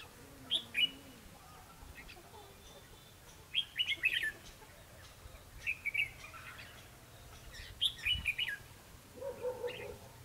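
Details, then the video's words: A red-whiskered bulbul used to lure and trap wild bulbuls, recorded 21 December 2015, gives short, bright, bubbling whistled phrases about every two seconds, with quieter chirps between and a faint low hum behind. "Bẫy đấu chim chào mào"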